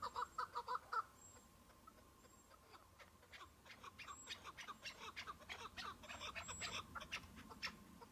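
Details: Chukar partridge during a spring hunt on patchy snow with a decoy partridge, one wild bird responding; a quick burst of rapid clucking notes opens, then fainter scattered clicks and sharp notes continue.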